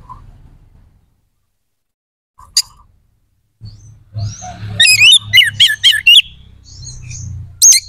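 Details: Oriental magpie-robin in strong song meant to rouse aggression and breeding urge in other birds: after a quiet start, a fast run of looping warbled whistles, about two per second, then a final bright phrase, over low background hum.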